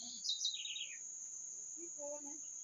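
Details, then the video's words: One quick bird phrase, a high whistle tumbling into a descending rattle-like trill, followed by soft low tones; a continuous high insect whine runs underneath. "Canto dos pássaros"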